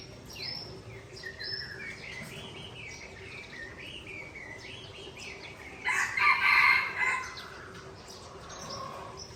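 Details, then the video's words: Aceh-type white-rumped shama from Tangse, Aceh, in song against a rival: a long run of varied whistles and wavering phrases, climaxing in a loud, dense warble near the end over faint background noise. "Murai Aceh Original Tangse Bereng Sebeng Lawan"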